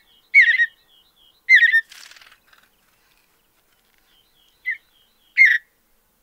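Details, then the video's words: Mountain bluebird song recorded in natural habitat of North America's high plains: burry warbled phrases separated by soft thin whistles, with a brief raspy buzzing note after the second phrase. "Soothing Mountain Bluebird Songs"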